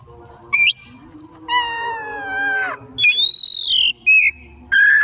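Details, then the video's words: Oriental magpie-robin singing vigorously in the afternoon: long flat harmonic whistles, a high rising note and short sharp chirps, separated by brief pauses. "Burung Kacer Gacor || Bahan Istimewa Pancingan di Sore Hari"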